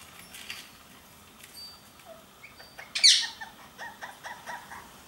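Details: Oriental white-eye call used as a lure for wild birds; very high, thin whistled notes sliding slightly downward, repeated roughly every half second, broken by louder sharp bursts.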